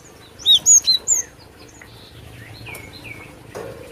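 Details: Vigorously singing Cinereous tit (glatik batu) on a luring track: four loud high whistled downslurred notes in the first second, followed by fainter thin whistles and a quiet, slightly noisy background.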